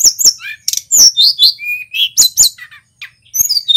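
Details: Male Tledekan Gunung, local stock, singing briskly on a lure and training recording. It gives quick high chirps and rising and falling whistles with one level thin note, then a short pause before more twitters.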